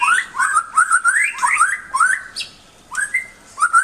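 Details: Rising whistled phrases from a white-rumped shama, each slurring upward and repeated several times in quick succession, with a few brief pauses and a high thin note near the end.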